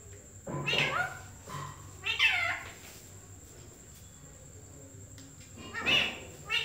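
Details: Green Indian parrot talking, saying "Mummy Mithu": a few short, harmonic, voice-like phrases with long pauses between, in a quiet indoor setting with a steady high electrical whine.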